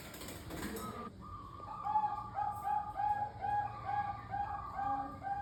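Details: Bangkok-type zebra dove singing, used as a lure for pet doves: after a noisy start, a rhythmic run of short mellow coos repeated about twice a second on a steady pitch, with soft background hiss.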